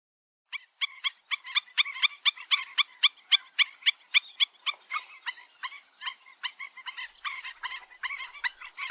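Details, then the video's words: Black-winged stilt, known locally as gagang bayam empang or 'dog-like bird', giving a long run of sharp, nasal yapping notes, about four per second. The notes are steady at first, then become looser and more uneven toward the end. "Suara Burung Gagang Bayam Empang Atau (burung anjing anjingan)"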